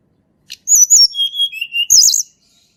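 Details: Sunda robin singing in the wild, used as a lure for birds that rarely sing: a clear, loud run of high whistled notes, some sliding and warbled, ending in a fast twittering flourish.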